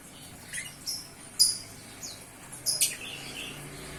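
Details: Young bar-winged prinia, hand-fed and now weaned, beginning to sing: scattered thin, high chirps and short downward sweeps, about six brief notes spread over four seconds, fairly soft against a quiet background.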